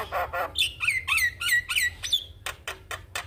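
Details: Javan myna song used to train young mynas: rasping notes, then a string of slurred downward whistles at a steady pace, followed by short harsh clicks.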